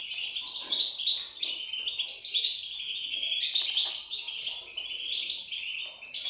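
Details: Several European goldfinch chicks calling together, producing rapid, overlapping high-pitched tweets that rise and fall slightly in pitch across the whole clip without pause.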